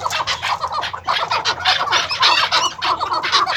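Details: Farm-kept maskati chukar partridges, first- and second-cross breeding pairs, give a busy run of short, harsh, repeated notes. Several birds overlap in a steady, crowded chorus.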